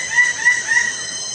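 Lesser bird-of-paradise giving three quick, loud, clipped notes in about a second, over a steady high insect-like hum.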